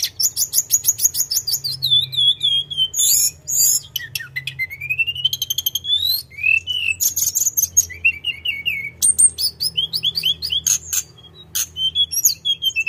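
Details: Non-stop rolling song of a Sunda robin: quick high trilled phrases, long sliding whistles that dip and rise, short buzzy bursts and a string of falling whistled notes, delivered almost without pause over a soft low background hum.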